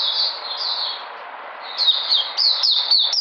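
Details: White-eye regaining energy on 13 February 2020 sings long, thin, high drawn-out notes, then quicker down-slurred chirps over a few faint clicks.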